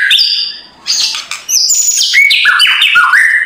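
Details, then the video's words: Loud, busy white-rumped shama song for stirring a reluctant bird into singing in the morning: sharp whistled notes stepping up and down in pitch, broken by a brief pause, then rapid jumping phrases. "MURAI BATU LANGSUNG NGEGASS KRETEKAN K4SAR SUARA RAME || Memancing emosi murai batu malas bunyi"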